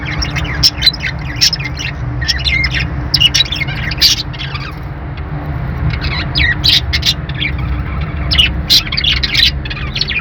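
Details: Budgerigars chirping and squawking, possibly with lovebirds: bursts of bright, scratchy chirps and short warbles, many overlapping, with a steady low rumble underneath throughout.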